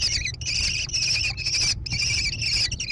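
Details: Near Prairie du Chien, Wisconsin, in June 2022, a nest-box camera catches American kestrel chicks giving shrill, harsh trilled bursts about half a second long. The bursts are separated by short silences and heard against a low hum.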